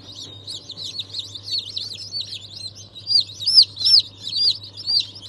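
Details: Newly hatched chicks, 22 January 2023, mixed breeds such as Ayam Cemani, Sultan and Wyandotte; clear high peeps, several arched rising-then-falling notes about three per second, louder in the second half, faint hum behind.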